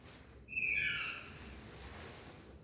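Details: Indian parrot gives one short, clear whistled note of about half a second, rich in overtones and dipping slightly in pitch, then quiet room hiss.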